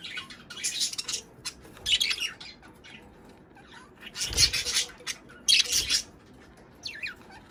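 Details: Budgerigars chattering, played to stimulate breeding and egg laying: bursts of high scratchy, buzzy warbling and squawks in short groups about a second long, separated by quieter pauses, with faint chirps between.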